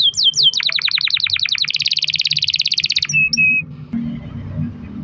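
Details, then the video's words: Canary song used to lure other canaries into singing: quick falling whistles merging into a long, rapid, very even trill, a few clipped notes, then background noise only. "kenari gacor ROL PANJANG buat pancingan kenari agar bunyi"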